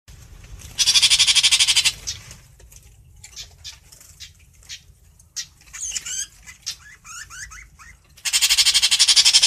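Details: Long-tailed shrike singing to call its flock: two loud, harsh rasping bursts open and close the recording, with a run of short, varied chirps and slurred, sweeping notes between them.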